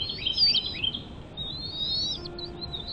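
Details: High, thin twittering whistles from a bald eagle nest with chicks: a quick jumbled burst, then a longer drawn-out rising whistle and a few short chirps, over light hiss.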